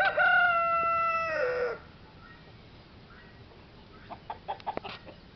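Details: Mixed-breed rooster gives a loud, harmonic crow lasting almost two seconds that holds steady and then drops at the end, followed by quieter scattered clucks and clicks against a low background hum.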